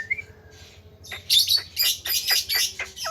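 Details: Tame, talkative Javan myna with a full mimicked repertoire: a short whistle and soft notes, then five or six loud, harsh squawks in quick succession.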